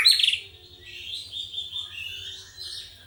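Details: Loud, high-pitched whistled song of a young, strictly trained White-rumped shama: a sharp opening note, then long warbling and gliding whistles that drift slightly lower, with faint low pulsing beneath.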